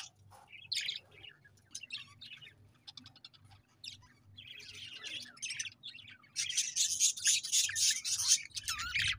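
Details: Scattered high chirps and brief warbles from budgerigars grow into a sustained, loud, scratchy chatter over the last three seconds.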